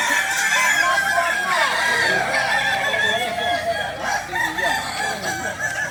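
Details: At a kukuak balenggek practice contest in Sawah Lunto, 16 July 2023, several Kokok Balenggek roosters crow at once, a dense chorus of bright, undulating, ringing crows that never pauses, with faint human chatter behind.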